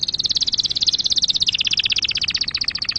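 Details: A canary's pure, error-free song for tutoring young canaries: one fast, continuous high trill of rapidly repeated notes, about fifteen per second, drifting slightly lower toward the end.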